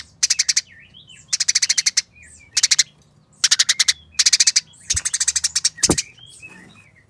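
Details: Eurasian tree sparrows fighting, giving fast, tight, harsh chattering: dense bursts of sharp chirps about half a second long, separated by short pauses, with thin high whistled notes between bursts and a faint low hum behind.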